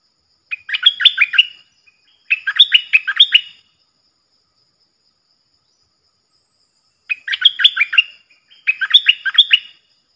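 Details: Stripe-throated bulbul decoy song for training young birds and luring wild birds: four fast phrases of bright, bubbly whistled notes in two pairs, with a pause of about three seconds between pairs.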